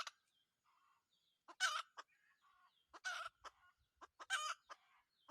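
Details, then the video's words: A wild red junglefowl rooster from a decoy-trapping outing calls in short, coarse bursts, with three louder harsh notes among fainter clucks and brief murmuring sounds. "cuab tau lau qaib qus lawm nawb(ต่อไก่ป่าหม่านๆ)"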